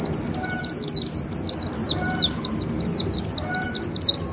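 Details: Líu song from a caged white-eye kept a little over a month since capture: loud, high, clipped notes repeated steadily about three times a second throughout.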